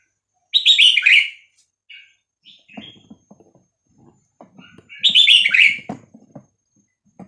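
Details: Red-whiskered bulbul of the Vietnamese type singing its 3-4-5-6-7 song, used to teach young birds and stir them up. Two rich warbling whistled phrases come about four seconds apart, with soft ticking and rustling sounds between them.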